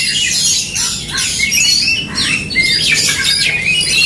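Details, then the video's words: Fighting duel of Oriental magpie-robins, with rasping squawks and sharp down-slurred whistles pouring out in rapid, uneven bursts. "DUEL Kacer tarung bongkar emosi"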